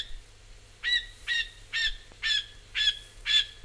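A Rufous Scrub-bird gives six loud, harsh, slightly nasal notes, evenly spaced about twice a second, with a quiet background.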